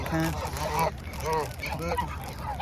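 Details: Canada geese at Huntington Beach give several loud, nasal honks, each rising then falling, in quick succession, over a low hum of background noise.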